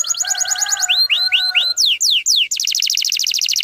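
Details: Canary singing to draw young birds into song: quick repeated notes over low whistled tones, then arched rising-falling whistles, steep downward sweeps and a dense rapid trill.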